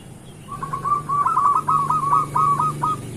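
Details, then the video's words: Zebra dove of local stock singing energetically as a morning lure for other doves: one continuous phrase of quick, bubbling coos lasting about two and a half seconds, steady in pitch. "Perkutut lokal gacor pancingan untuk pagi hari"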